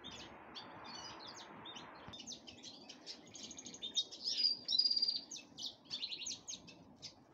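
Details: Black-headed canary getting ready to breed. Faint twitters grow into a louder, varied song of buzzy notes, thin whistles and quick trills, over steady hiss and a few clicks.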